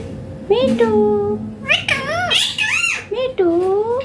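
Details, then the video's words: Indian Green Ringneck parrot speaking several clear, voice-like phrases in quick succession. Drawn-out level tones are followed by sharply rising and falling syllables, loud and close throughout. "Indian Green Ringneck Parrot talking natural sounds/voices clear"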